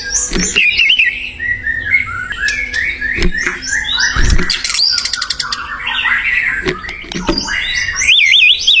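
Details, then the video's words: A white-rumped shama sings energetically in the wild, mixing looping whistled notes and fast chattering runs with a burst of harsh buzzy rattles midway. Some low thumps and rustling can be heard. "SUARA UNIT MURAI BATU GACOR DI ALAM LIAR"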